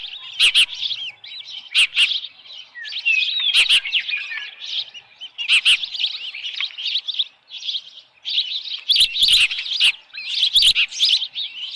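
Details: At the Dunrovin Ranch osprey nest, 10 June 2018 around 6:41 PM, with a headless fish, ospreys give long runs of shrill, whistled chirps with brief pauses, plus sharp thumps near 0.5, 1.9, 3.7, 5.5, 9 and 10.7 seconds.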